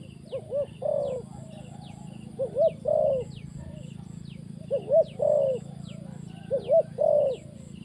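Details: Decoy spotted dove set down on the ground for trapping, giving a steady series of soft coo-croo phrases: two quick low notes then a longer rolling croo, roughly every two seconds, faint high bird whistles in the background.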